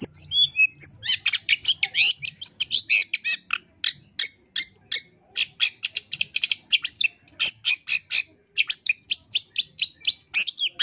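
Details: Caged long-tailed shrike in full, lively training song packed with mimicked phrases. A nonstop stream of quick, high, clipped chirps and twittering notes comes in rapid bursts with almost no gaps.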